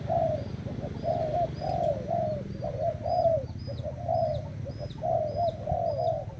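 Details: Spotted dove of Thai stock, recorded 25/08/18, repeating gentle rolling coos about once a second, while another small bird gives thin high chirps in the background over a low rumble.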